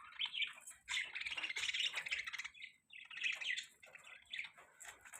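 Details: Budgerigars chattering in a mating call, a steady stream of warbling chirps and scratchy twitters rising and falling, several birds overlapping with brief pauses.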